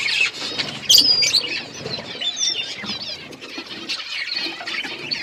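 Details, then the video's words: Outdoor aviary flock of budgerigars, busy high-pitched chirping with a few clear whistled squeaks standing out near the start amid constant overlapping chatter and faint wing flutters. "Budgies flocks in outdoor aviary budgies colour budgies chirping sounds"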